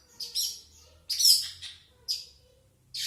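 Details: Long-tailed shrike giving four harsh, hissing, scratchy bursts about a second apart, the second one loudest and longest, with quiet low hum between the notes.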